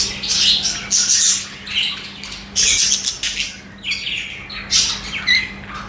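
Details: Parakeet chatter from a group of budgies: clustered squeaky chirps and short scratchy warbles, some notes rising sharply. Bursts come roughly every second over a faint constant low hum.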